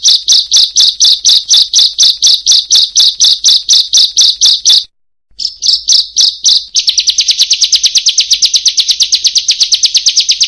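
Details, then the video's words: Bar-winged prinia song used as a training recording to get lazy birds singing: about twenty evenly spaced high, buzzy notes, a brief silence, a short burst, then a fast, dense high trill. "MASTERAN BURUNG CIBLEK/PRENJAK PALING MERDU DI KELASNYA"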